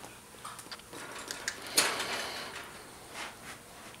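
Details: Indoor clatter and scattered clicks with one loud broadband scrape, and no clear animal voice.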